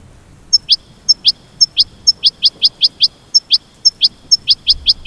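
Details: Goldfinch song made of sharp, very high clicks alternating with short rising whistled notes in a steady, evenly spaced beat, about four notes a second.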